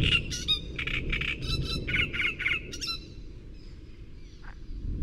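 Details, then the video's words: Great reed warbler from Córdoba singing a harsh, chattering phrase of rapid grating syllables for about three seconds, then falling quiet against steady low background rumble. "Carricero tordal"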